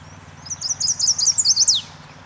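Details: High, bright chestnut-sided warbler song: about eight rapid, evenly spaced chirped notes, then a final emphatic note sweeping steeply downward. A soft low background hum runs throughout.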